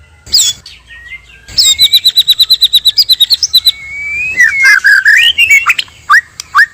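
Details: White-rumped shama, male and female, as a trapping lure: a rapid trill of about fifteen quick repeated high notes, then a long smooth whistle and varied rising, looping phrases.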